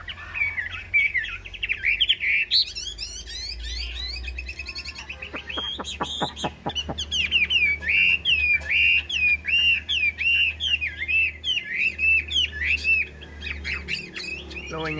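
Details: Yellow-billed Chinese hwamei in a cage, singing a long varied song of looping whistles and warbled phrases, with a short series of sharp clicks midway, then repeated rolling whistled notes in quick succession.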